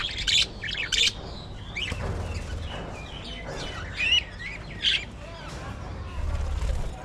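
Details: Budgerigars in a colony aviary: loud bursts of sharp, high chirps come in four bursts, with softer warbling chatter between them and a low rumble of wing flapping and movement underneath.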